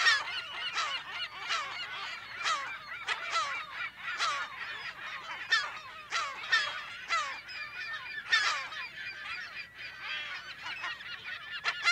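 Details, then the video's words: Bustling California gull colony in mono, heard from close to middle range: continuous overlapping coarse squawks and yelps from many birds, steady in loudness throughout. "California Gull / CU - MP Calls In Colony"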